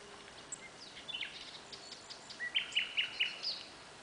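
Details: Common greenshank near Lučenec, Slovakia, giving a quick run of four or five ringing, high, slightly downslurred notes, preceded by fainter similar calls, over steady background hiss.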